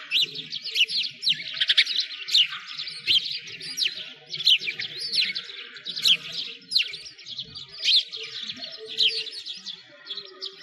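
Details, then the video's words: A winter flock of sparrows at Bratislavsky Park's frozen lake, Moscow: steady rapid chatter of high chirps with louder peaks about every second, plus faint low background noise. "Sparrows singing"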